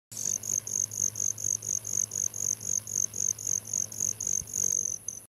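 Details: A male Broad-tailed hummingbird performs a shuttle display, flying back and forth before a caged female; his wings make a metallic, high mechanical trill pulsing about four times a second in a steady rhythm, over a faint low hum.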